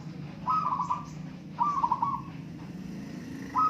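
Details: Local zebra dove singing in a contest: two rolling trilled coos, each about half a second, then the start of a third, over low hum.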